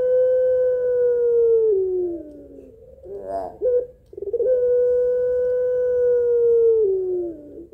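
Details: Calling a male, a pelung Barbary dove gives its slow, rhythmic, melodious song: two long drawn coos, each held nearly two seconds and dipping at the end, separated by a cluster of short rough notes.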